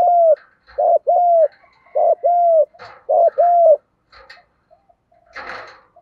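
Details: Spotted dove cooing, male and female calls played to lure and train birds: steady hollow double notes repeated four times, then a pause filled with light rustling and a brief clatter.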